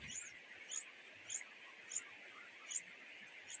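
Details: Nestling nightingales, a pair, begging from their mother for food, giving six sharp, high squeaks spaced a little over half a second apart against a constant background hiss.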